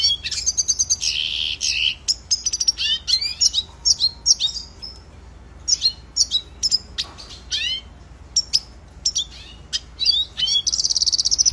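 A red siskin sings a fast, continuous twittering song of high chirps, buzzy trills and rapid slurred notes, with no other sounds.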